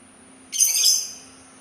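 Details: Sultan tit giving one short, harsh, buzzy burst of about half a second, high-pitched and noisy, with a steady faint high whine behind it.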